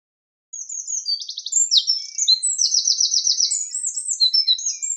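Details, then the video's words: A Eurasian wren (Troglodytes troglodytes) pours out a loud, rapid song of high tinkling notes and fast buzzy trills, running on without pause. "Sound of Birds: Wren / Winterkoninkje / Troglodytes troglodytes"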